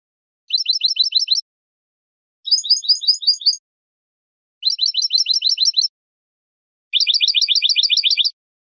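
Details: European goldfinch singing basic song phrases of the bibleos martilleados style, hammered trills: four separate bursts of rapid, evenly repeated high metallic notes, each burst about a second long with pauses between, no other sounds.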